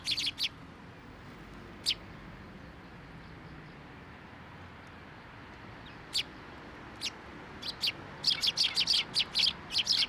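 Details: Sparrows coming to a post to be fed at a shrine on 10 October 2023; sharp high chirps, a few scattered single notes, then a rapid cluster of repeated chirps near the end over low background hum.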